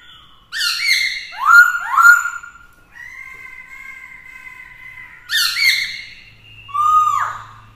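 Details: Black-throated laughingthrush singing in many voices to provoke rivals, accompanied by a female; three loud downward-sweeping squawky notes, a long flat whistled tone, then two more loud rising-falling bursts.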